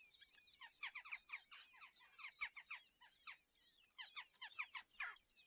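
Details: Two red-footed falcon nestlings begging at breakfast feeding in a colony nest near Polgár, Hungary, June 21; dense, rapid run of scratchy, downward-sweeping squeals with brief pauses, overlapping thin high whistles.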